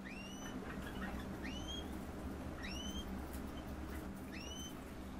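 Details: Captive green-rumped parrotlets (Forpus passerinus) giving thin, upslurred chirps, one about every second and a half, over a steady low rumble of background noise.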